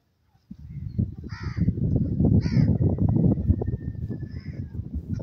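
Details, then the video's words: A francolin gives three harsh, grating calls about a second apart over a loud, steady low background rumble; francolin call. "partridge bird call"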